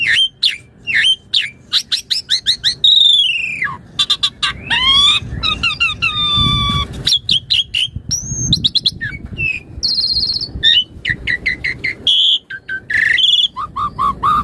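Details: Asian pied starling, singing bird used as a training master and lure; long varied medley of sharp chirps, slurred whistles, buzzy trills and chatter, with low background noise.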